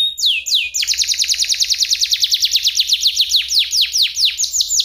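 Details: F1SF canary tutor song with a crystal tone and unique phrasing, meant for teaching shamas and young canaries: two upward slurred notes, then a long rolling trill of fast downward-sweeping whistles that gradually slows.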